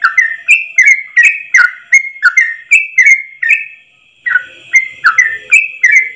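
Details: Ropel-style song of a yellow-vented bulbul, long and unbroken in one breath, used as a tutor recording; quick chains of liquid, slurred whistles, then a brief pause near the middle before the bubbling phrases resume.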